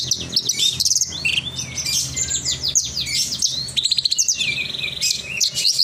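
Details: Lark, known as branjangan, in lively continuous song: dense, rapid high twittering with buzzy trills and slurred whistles, barely pausing throughout.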